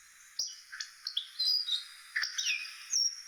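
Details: Short burst of hawfinch song: a few sharp, high ticks followed by thin whistled notes sliding downward, clean and close with little background.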